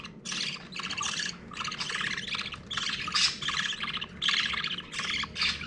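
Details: Budgerigar chicks about one week old give harsh, rasping begging calls in rapid bursts while being fed by their mother.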